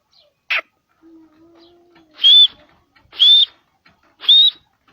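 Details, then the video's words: Grey francolin in natural habitat in Pakistan: three loud, harsh notes with a high whistled rising tone, about one second apart, after a short sharp click and a faint low hum. "Voice of Teetar Bird - Gray francolin Teetar Ki Awaz Dakhni Teetar"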